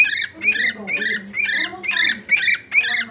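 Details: Indoor pet bird demanding attention with a quick series of harsh, bright whistled notes, around two per second, set against a murmur of low background sound.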